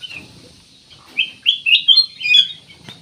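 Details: Actively singing ruby-throated bulbul, a lure to set other birds singing: quiet start, then a rapid string of loud bright whistled slurs rising and falling.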